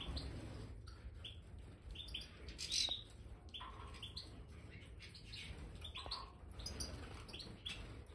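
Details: European goldfinches, Major type, in an aviary with fresh bird sand give a clear whistled note followed by scattered high chirps and twitters, over ongoing rustling and scratching noise.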